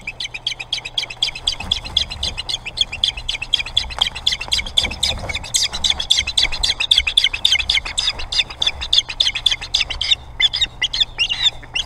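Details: Ospreys in an altercation at a much-wanted nest by the Boathouse on Hog Island, Maine, with several birds contesting it: a dense, rapid, unbroken chatter of sharp high chirps with a steady low hum beneath.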